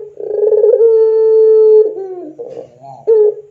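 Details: Puter pelung dove cooing for training doves: a rolling onset leads into a long smooth held tone lasting over a second, followed by softer rough gurgling notes and a short closing coo.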